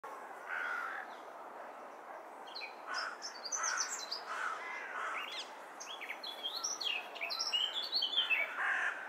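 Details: A male Eurasian blackcap sings from a chestnut tree while busy feeding chicks. He gives a fairly quiet, rambling warble of quick varied chirps and twittering notes that build in a steady flow, over soft background hiss.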